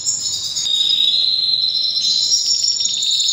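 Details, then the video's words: Canary singing during breeding season: a continuous high trilled song, steady and loud, with a sustained rolling phrase that shifts slightly higher after about two seconds. "Canary bird most powerful singing during breeding season"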